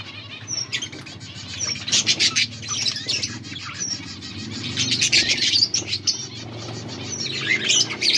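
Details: Breeding pair of budgerigars during mating, August 16, 2024: rapid stream of sharp chirps and brief whistled upslurs in bursts, chatter swelling and fading, steady low hum in the background.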